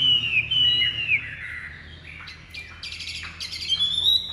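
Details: Large-bodied captive Chinese hwamei of the ngũ trường type, with pure white wing feathers, kept as a songbird in Vietnam: clear sliding whistled phrases that swoop up and down, then harsher buzzy notes, and a final rising whistle.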